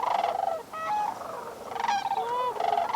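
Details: A flock of Sandhill Cranes calls close to shore at sunrise on a roughly 19°F December 2021 morning at Bosque del Apache National Wildlife Refuge, New Mexico. They give overlapping rolling, rattling bugles in a steady chorus, with a few higher, cleaner honk-like notes mixed in.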